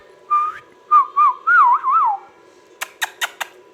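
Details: Ringneck parrot producing a short rising whistle, then a wavering phrase of smooth up-down swoops, ending with four crisp clicks in a quiet indoor setting.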